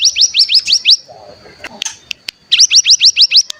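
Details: Cigun decoy call used to stimulate other cigun to sing. Two bursts of about seven quick upswept whistled notes, separated by a short gap holding soft murmuring and a few clicks.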